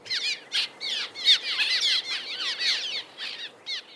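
Cliff Swallows in a colony chatter nonstop, overlapping squeaky, curving notes in a busy, high-pitched twitter with many birds calling at once.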